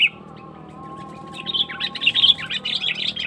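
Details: Sooty-headed bulbul lure call, used to attract wild birds: after a quiet start with a low steady hum, a run of quick, high, chirpy notes rises in loudness over the second half.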